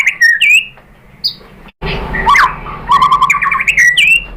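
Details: Murai batu (white-rumped shama) lure song intended to spark singing from another shama: a few sharp whistled notes, a pause, then a busy burst of twittering and swooping phrases.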